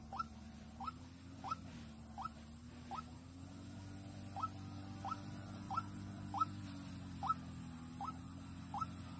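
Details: Vĩnh Long decoy white-breasted waterhen used to lure birds. About thirteen quick upward-sweeping notes come in a steady series, with a short gap near the middle. A low hum persists beneath.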